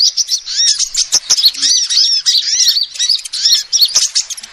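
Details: Calls of a female sunbird for luring: quick, thin arched chirps strung into a near-continuous twittering stream, punctuated by a few sharp ticks.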